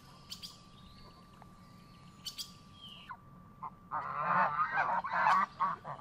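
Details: Lakeside geese: a quiet start with a few faint distant chirps, then after about four seconds a loud, raucous chorus of overlapping honks that carries on to the end.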